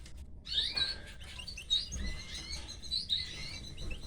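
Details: Canary chicks being fed by their mother, uttering clusters of high, thin, squeaky chirps in repeated bursts, with a soft background hiss.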